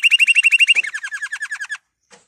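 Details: Canary song meant to encourage canaries to sing: a rapid trill of clear notes repeated about twelve times per second, then a slightly lower, descending series of notes, ending abruptly.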